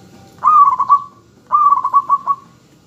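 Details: Actively singing local zebra dove kept as a lure bird to set other doves calling and replying. Two matching phrases of quick, bubbling, staccato coos about a second apart, each ending in a short trailing note.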